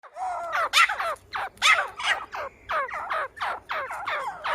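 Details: Grey francolin calling: a quick run of harsh, strongly descending notes with a few louder, sharper bursts among them. No other sounds stand out.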